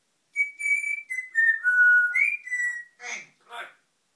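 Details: African grey parrot mimicking The Great Escape theme, then saying "England": a run of sustained, clear whistled notes stepping down and back up, ending in two short, harsh, speech-like syllables, recorded indoors.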